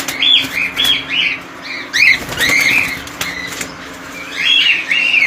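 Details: Several colony-kept cockatiels call in loud bursts of curved, screechy whistles, pausing briefly between groups, with occasional wing flutters and clicks behind them.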